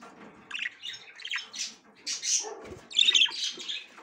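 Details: A female budgerigar that is checking the nest for the first time makes a run of grating squawks and chirps, starting softer and ending in a loud, harsh burst.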